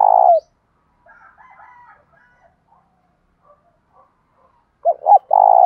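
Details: Spotted dove, loud, clear 'thổ' voice, in fighting and calling coos: the tail of a long, buzzy coo, a stretch of soft scattered notes, then two short hooked notes and another long, steady coo.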